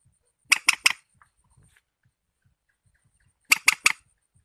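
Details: A warbler, given only as a group name, utters two tight bursts of three harsh, buzzy notes about three seconds apart, with near silence and faint low thumps between them.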